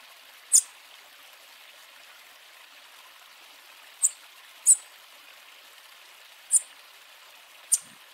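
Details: A warming-up Bananaquit gives song and call: five thin, very high, sharp tsit notes spaced irregularly over eight seconds, against a steady soft hiss.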